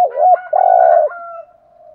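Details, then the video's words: Decoy spotted dove cooing to draw in wild doves, the urging coo style. A short dipping note, then a longer, steady, husky coo that trails off into a faint fading tail. "Tiếng chim cu gáy kích bổi nhanh nổi rất nhanh nổi/ chim cu gáy mồi chai thúc gù bài bản giọng hay"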